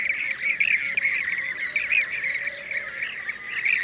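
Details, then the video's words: Blue-cheeked bee-eaters (Merops persicus), Şanlıurfa, Turkey, 2016, call together in a continuous burry, trilling chatter with a few louder rising notes. Faint high twitters of other birds sound behind. "Yeşil arıkuşu (Blue-cheeked Bee-eater)"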